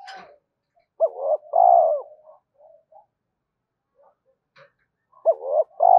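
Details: Spotted dove cooing, a recording meant to lure and train decoy birds: two phrases, each a sharp upswept note, then a long buzzy pulsed coo that slides down, with faint short notes between. The background is quiet.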